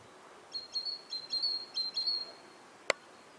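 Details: Great tit (Parus major) singing in autumn in Siberia, a bright, high two-note phrase repeated quickly several times, then stopping; a single sharp click follows.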